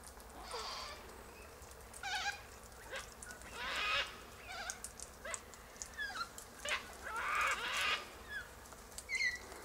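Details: A gathering of Sulphur-crested Cockatoos feeding on seeds from pods high in a silky oak tree: several harsh, rasping squawks at irregular intervals, some with a tonal, rising edge, over quiet background hiss.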